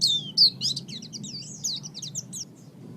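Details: Oriental white-eye used as a master bird for training songbirds, giving a rapid high twittering chatter of thin, swooping whistled notes, loudest at the start and fading into softer trills, with low background hum.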